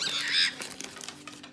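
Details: An angry male cockatiel, denied the owner's fried chicken, gives a harsh, grating scream that fades into clicks and small indoor knocks.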